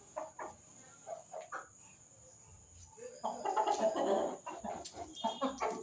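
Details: Chicken; fighting squawks; fighting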